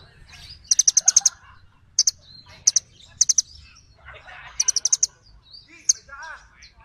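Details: Small birds calling back and forth: repeated quick strings of sharp, very high chirps, separated by softer twitters and a few lower slurred notes.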